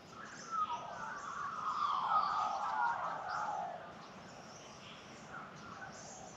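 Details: Morning song of Australian magpies in sunlit Australian bush at the start of the day: a rich, dense warbling carol swells to a peak midway, then fades to faint distant chirps.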